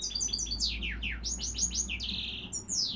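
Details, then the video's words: Hybrid goldfinch x dimorphic canary mule delivering chattering twitters, a run of downslurred whistled notes, then a harsh buzzy drawn-out tone and a final descending sweep. "Goldfinch mule"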